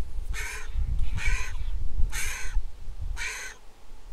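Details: Griffon vulture chick, hatched 22 April 2021, begging at feeding time on a nest camera in Israel, 23 July 2021: four harsh, raspy bursts about one second apart over a low rumbling background.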